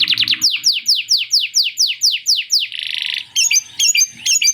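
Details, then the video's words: Canary singing loudly in lovebird-imitating style: a run of piercing downslurred notes, a rough buzzy burst, then clipped, squeaky chatter phrases. "Kenari Gacor Panjang Isian Lovebird Ngekek PALING JERNIH⁉️ Canary Singing"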